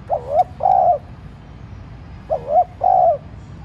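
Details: Spotted dove kept as a decoy, cooing to prompt other doves to answer: two phrases, each a short double coo and then a longer steady coo, low and soft, against faint rumble.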